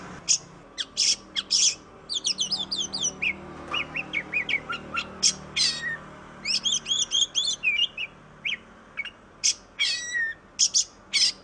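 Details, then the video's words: Oriental magpie-robin (kacer) from Indonesia, black and white; long melodious song mixing rasping buzzy bursts, fast repeated down-slurred whistles and sweet warbled notes, many phrases in rapid succession. "KICAU BURUNG KACER YANG MERDU || MAGPIE ROBIN VOICE"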